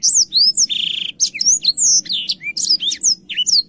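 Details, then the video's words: Black-throated canary, a lively clear-voiced singer, gives a fast, varied run of high slurred whistles sweeping up and down with a brief buzzy trill over a low hum, used as a tutor song for young canaries. "BLACKTHROAT GACOR SUARA JERNIH"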